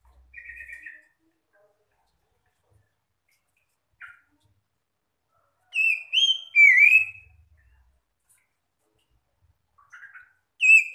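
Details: Magpie-robins (kacer) calling and answering one another, used to prompt quiet or stressed kept birds to join in singing; loud slurred whistles and short buzzy phrases in scattered bursts separated by silences, busiest in the middle and again at the end.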